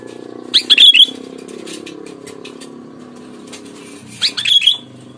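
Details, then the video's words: Sooty-headed bulbul lure call meant to draw answering birds: two short, bubbly whistled phrases about three seconds apart, loud and clear over a faint low hum. "Suara Burung Kutilang, Keras, Lantang, Jernih"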